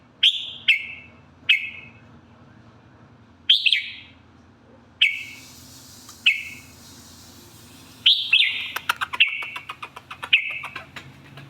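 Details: Red-whiskered bulbul giving clear, whistled notes that fall in pitch and repeat every second or so. A faster run of chattering clicks follows near the end, over a quiet low background hum.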